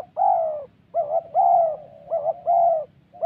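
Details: Spotted dove in the wild Central Highlands forest of Vietnam, heard during ground-decoy trapping, cooing in the 'thổ' style. Loud, hollow coos alternate with short doubled notes in a steady cycle, about one phrase per second.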